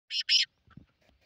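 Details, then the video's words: Black francolin, recorded 30 March 2024, giving two loud, harsh, grating notes in quick succession, the second longer. Faint low rustling follows. "kale teetar ki awaaz"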